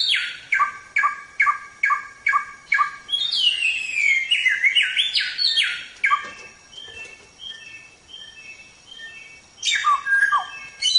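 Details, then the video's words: Samyong song on a songbird training recording: a run of evenly spaced harsh notes, then a long ringing whistle that bends downward into buzzy fragments, a quieter stretch of soft twitters, and a final loud chirping flourish. "Suara Burung Samyong | Gacor"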